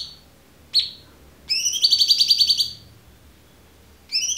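A Black-headed Bulbul gives a brief high whistle, then a rapid, buzzy trill of about a dozen quick notes lasting just over a second, starting again at the end.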